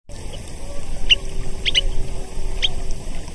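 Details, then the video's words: A Semipalmated Sandpiper gives four short, high, clipped chirps, two of them close together midway, over a steady low rumble of wind or distant noise. "Semipalmated Sandpiper Sound Effect"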